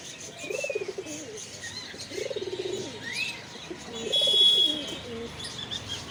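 A pigeon gives three soft, low, throaty coos, each about half a second long and spaced a couple of seconds apart, while small birds chirp and twitter in the background.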